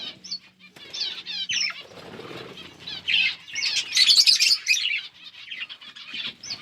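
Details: Feeding budgies make scattered short chirps that build into a loud burst of bright, overlapping chatter midway, then thin out to occasional notes.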